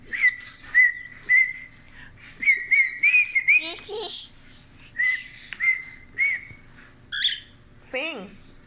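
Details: A male pet cockatiel, asked to sing, whistles a tune meant as Another One Bites the Dust: evenly pitched whistled notes in short phrases with pauses, broken by harsh chattering squawks and a final falling screech.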